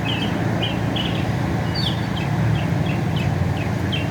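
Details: Northern mockingbird in America repeating a buzzy chirp several times, then moving to a run of quick sharp upslurred notes, all above a heavy low hum of traffic.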